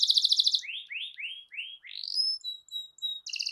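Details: Actively singing domestic canary used as a training recording to prompt a silent canary to sing: a fast buzzy trill, then five rising swept notes, thin high whistles, and a closing rapid trill.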